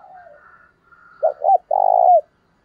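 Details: Spotted dove trained as a decoy, calling to lure wild doves: soft distant bird twitters, then a loud low phrase of two quick coos and a long vibrating coo falling at its end.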